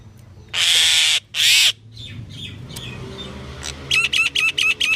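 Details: Pied myna giving two long harsh screeching calls, then a quieter pause and a fast series of about six short rhythmic chattering notes.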